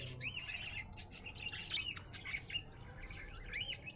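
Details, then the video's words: Happy budgerigar chirping, giving a run of short rising and falling warbled notes and little clicks in quick succession, with a low steady hum underneath. "Happy budgie chirping sound"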